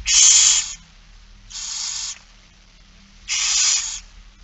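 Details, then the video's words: Hissing, screechy begging from barn owls during feeding, Friesland, 8 September 2019; three harsh noisy bursts under a second each, spaced roughly one and a half seconds apart, the middle one softer. "Kerkuil It Fryske Gea 2019 09 08 16 02 voedering"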